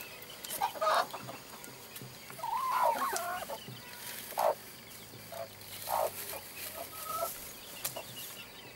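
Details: A hen with her newly hatched chicks, the last brood of the year, gives short, throaty clucks and brief rising murmurs spaced a second or two apart, calling her chicks to food; faint background noise throughout.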